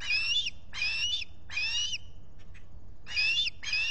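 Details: At a Finger Lakes osprey nest in the US on 23 July 2021, with a visitor present, an osprey gives drawn-out, slightly rising whistled chirps in groups, separated by short gaps. Solar-powered nest camera, morning.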